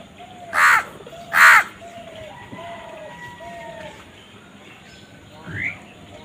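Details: Crow giving two loud, harsh, broad caws less than a second apart, then quieter arched whistling calls of other birds in the background and one short rising note near the end.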